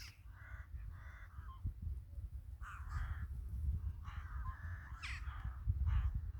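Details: Crows calling in a village in winter: hoarse, harsh caws given singly and in short pairs, spaced a second or more apart, over a steady deep rumble.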